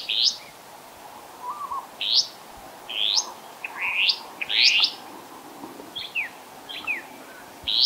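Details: Two Restless flycatchers foraging in Monarto Woodlands, South Australia, on 26 July 2020, one bird making most of the calls: sharp, upslurred whistled notes about once a second, some doubled, a softer lower note, and faint background hiss.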